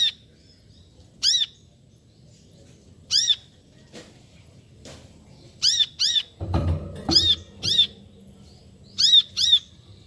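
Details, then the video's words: Brown-throated sunbird calling: sharp, high, arched double-toned notes, given singly or in quick pairs every one to two seconds, with a soft low rumble underneath and a brief burst of thudding noise midway. "Suara Panggilan Burung Kolibri Kelapa"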